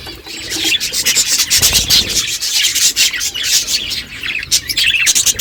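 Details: Budgerigar flock chattering in the morning, constant overlapping high chirps and scratchy warbles with rhythmic bursts, some rustling underneath.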